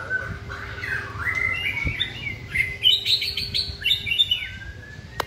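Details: Caged white-rumped shama in song training: a rising series of quick bright whistled notes climbing higher, then descending phrases, with a sharp click at the very end.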